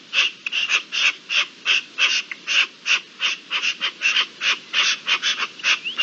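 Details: Partridges in the mating season, 27 April 2021: coarse, rasping calls that start as spaced single notes and then quicken into doubled and tripled chatter toward the end.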